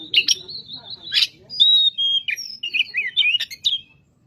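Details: Excited Oriental magpie-robin singing, used to provoke other magpie-robins into song: steady high whistles cut by rasping bursts, then a clear sliding whistle and a rapid string of varied warbled notes.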